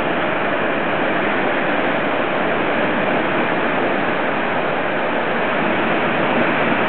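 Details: Loud, unbroken rushing noise throughout, with no animal calls standing out.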